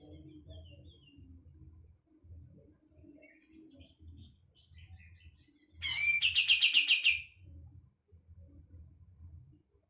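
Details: Greater green leafbird stirred up by a tutor song: a loud, fast trill of about ten bright repeated notes lasting over a second, set against quiet scattered whistles and a low rumbling hum.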